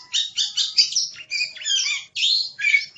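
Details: Oriental magpie-robin (kacer) gacor song from a masteran recording for training songbirds, a fast burst of scratchy, warbling notes tumbling one after another with short gaps.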